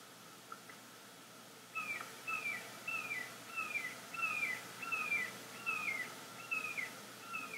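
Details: Bald eagle pair reunited at the nest in Florida in September 2021, early morning: a series of thin, high, descending chittering notes repeated about every half second after an opening pause, with faint background hiss.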